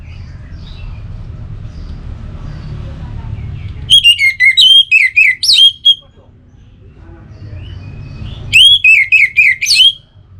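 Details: Orange-headed thrush song of two lively phrases about four seconds apart, each mixing looping, up-and-down whistled notes, with a low rumbling background between them.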